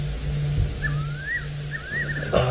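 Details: Fiery-necked nightjar calling at night during a spotlight drive, heard from a vehicle: two slurred whistles, each rising then falling, over a steady engine hum.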